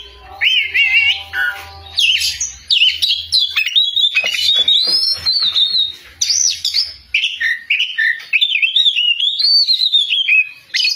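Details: Loud Oriental magpie-robin song: a continuous run of varied whistles and warbled notes, rising and falling with quick scratchy bursts between phrases, delivered almost without pause over a faint low hum during the first part.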